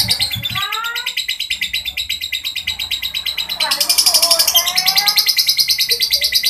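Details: Lovebird chattering in the rough, drawn-out ngekek style: a continuous grating trill of fast, regular pulses that swells louder about halfway through, with softer sliding notes underneath.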